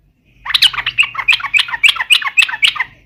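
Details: Yellow-vented bulbul in energetic 'gacor garuda' form, used as a lure to set other birds singing: a fast, bubbly chatter of tumbling notes at nearly four per second, with a faint low hum underneath.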